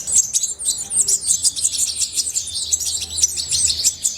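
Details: Kept goldfinch in full song: quick bursts of shrill, bell-like twitters and buzzy trills tumbling together in a busy, continuous phrase.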